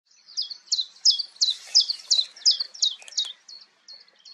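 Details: A common chiffchaff calls at Goldcliff, Newport Wetlands, on 11 April 2022, repeating high, clipped notes about three times a second, switching between two pitches, then finishing with a few softer, thinner notes.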